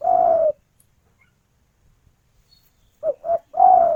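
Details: Female spotted dove calling to the male: a long slurred coo at first, then after a silent gap two short clipped coos and another drawn-out, slightly falling note.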